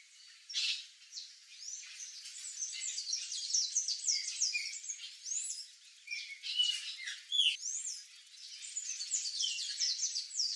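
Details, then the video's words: Several White Woodpeckers (Melanerpes candidus) visit a backyard with fruit, giving rapid, shrill chattering calls with rising and falling squeaky notes that overlap throughout. "PICA-PAU-BRANCO (MELANERPES CANDIDUS), WHITE WOODPECKER, CRI-CRI, BIRRO"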